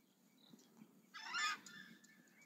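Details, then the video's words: Southern screamer, known locally as chajá, giving one loud, harsh, goose-like honk of about half a second, rich and buzzy across a broad range, over a quiet background with faint scattered noises. "Chajá audio"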